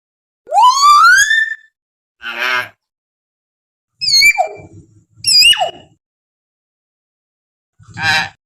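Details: Common hill myna in the wild, call used to lure captive birds into singing: loud rising whistle, harsh rasping note, then sharp descending whistles and a final raspy burst, with long silent gaps.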